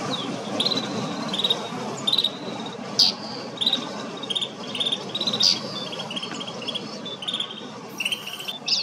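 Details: Kananaskis, Alberta, Canada: a group of snow buntings giving quick buzzy trills and piercing chips at irregular intervals, partly covered by a constant hiss of wind-like noise.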